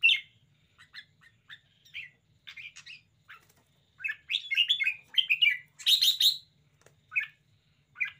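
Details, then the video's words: Spirited red-whiskered bulbul in a lively display, delivering quick bright whistled notes and chirpy warbled phrases in rapid bursts, building to a louder run near the end. "นกกรงหัวจุก 90 chao mao. bulbul birds. red-whiskered. cambul."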